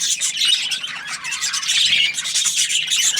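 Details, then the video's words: Budgerigar chirping happily, a brief burst of bright, rapid twittering mixed with harsh little squawks and squeaky warbles, all high-pitched and continuous, with no other sounds. "Happy Budgie chirping sounds"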